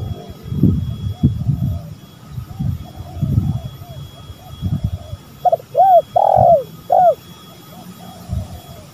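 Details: Spotted doves, male and female, calling as a lure recording; a low rumble of engine noise and murmuring fills the first half, then a bright phrase of short arched coos and one long drawn, falling coo.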